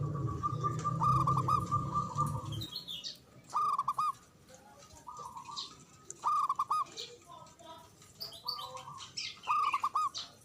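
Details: Local Javanese zebra dove with a big, loud voice and long breath, used as a lure to prompt silent doves to sing: short bursts of rapid, rolling coos repeated several times with pauses between, thin high chirps of other birds behind.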